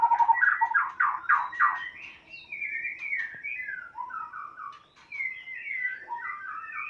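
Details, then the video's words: White-rumped shama from Sumatra pouring out rapid, loud rattling notes that give way to fluid whistled phrases, quickly varied and jumping between higher and lower pitches, heard indoors. "murai batu sumatra kota agung x medan balak (nias)"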